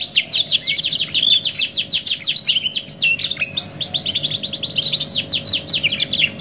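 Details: Canary, "2 in 1" masteran training song: rapid evenly spaced high chirps repeated in long runs, a brief pause after three seconds, then more fast chirp series, over a quiet steady hum.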